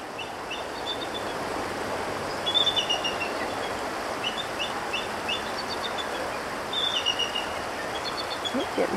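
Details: Two bald eagles, a pair perched together in a tree, calling back and forth to each other on Christmas: thin, high chittering runs of short piping notes in several bursts over steady background hiss.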